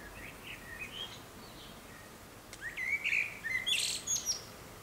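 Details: Common swifts racing past nest boxes where at least one nest is in use: faint thin notes at first, then a loud, harsh, high screaming burst of several notes toward the end.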